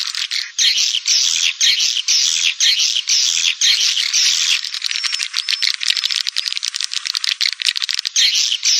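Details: Swiftlet calling sound meant to draw swiftlets in, from 2021: continuous shrill, buzzy twittering in rapid bursts, with a rattling, crackling chatter in the middle.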